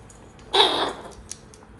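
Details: A pet parrot, one of two (a grey and an Amazon) playing and talking on the floor, aged 1 year 9 months, filmed 28 Feb 2023, gives a single harsh, raspy half-second squawk, then a faint click; the room is otherwise quiet.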